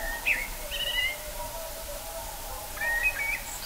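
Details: Common blackbird singing in early March 2020 at Kloostri, Läänemaa, Estonia: two short, fluty warbled phrases about two and a half seconds apart, fairly soft, with a faint low hum behind.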